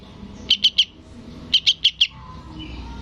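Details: Sooty-headed bulbul young calling its parent with two short bursts of piercing high chirps, three notes then four, separated by a second of near quiet.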